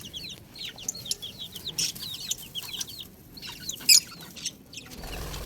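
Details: Baby chickens peeping: a dense chorus of short, high, down-slurred cheeps overlapping from several chicks, with a few louder sharp bursts near the end and faint background rustling.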